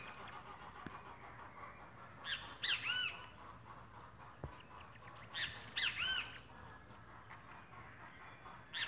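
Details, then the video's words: Bananaquit (sibite) from northeastern Brazil singing: bursts of very high, fast, thin ticking notes, mixed with lower slurred arched chirps, repeated twice over a few seconds against low background hiss. "SIBITE BOB ESPONJA E JASON"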